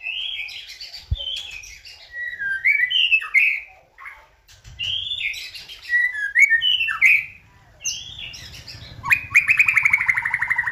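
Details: White-rumped shama song, used as a lure to provoke another bird into singing: varied clear whistled phrases sliding up and down, separated by short pauses, ending in a long buzzy, harsh descending note.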